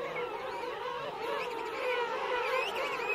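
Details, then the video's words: A dense chorus of king penguins, adults and chicks together in a colony at Right Whale Bay, forms a continuous wash of overlapping nasal, wavering calls with no single voice standing out. "King Penguin. CU Adults Calling. Colony Of Adults And Chicks."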